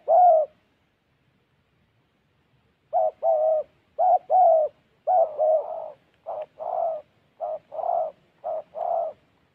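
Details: A single low coo, then after a two-second pause a spotted dove decoy from Gia Lai, Vietnam, delivers a steady series of paired mellow coos, short note before long.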